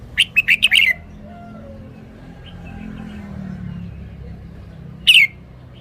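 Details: Red-whiskered bulbul in a cage opening with a fast run of five sharp chirps. A faint soft whistle follows, with low background hum, then one brief bright chirp near the end.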